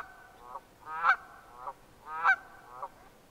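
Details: Red-breasted merganser giving two drawn-out, nasal, rattling calls, each building to a loud sharp burst midway and trailing off in pulsed vibrato, about a second apart.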